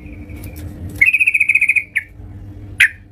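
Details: Yellow-vented bulbul at home in lively song: a brisk series of about ten sharp, evenly spaced notes, then two separate bubbly chirps. A faint low hum sits underneath.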